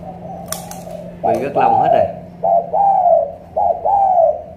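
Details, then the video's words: Spotted dove, Cà Mau, Vietnam, with a loud voice of the thổ cọp type: a man's voice and clatter at the start, then three clear hollow coos, each a short note and a drawn-out falling one. "Thổ cọp âm khủng hình như bồ câu"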